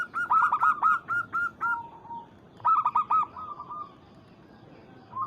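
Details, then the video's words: Zebra dove of local stock calling a rival to stir other birds: two loud bursts of rapid staccato coos, each ending in a drawn-out, falling note, with a quiet pause between. "PERKUTUT Lokal MEMANGGIL LAWAN"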